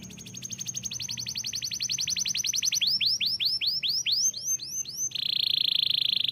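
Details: Singing canary: a rapid trill of short notes for about three seconds, then slower, swooping down-slurred whistles, closing with a dense buzzy rattle.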